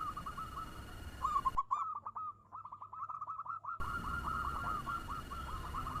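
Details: Local zebra dove used as a lure bird, singing fast to stir up other doves: a continuous run of short, rapid cooing notes in a steady mid-pitched train, with background hiss briefly cutting out midway.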